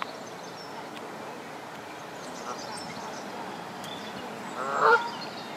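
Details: Canada goose at a nest beside a pond in Midhurst, West Sussex, England, female laying eggs while the male keeps watch; a few faint, soft notes, then one loud nasal honk near the end against a quiet, hissy background.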